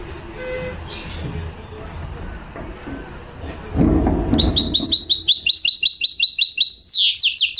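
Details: Goldfinch hybrid (mule) singing: after a few seconds of low background noise, a fast run of high, sweeping, downslurred notes starts and repeats rapidly, ending with steeper falling whistles.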